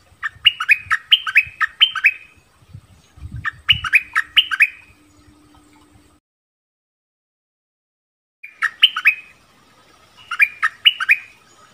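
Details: Orange-bellied flowerpecker lure song, also used to train young birds: four clusters of fast, high, sharp chirps with a long silent gap midway and some low knocking noise early on.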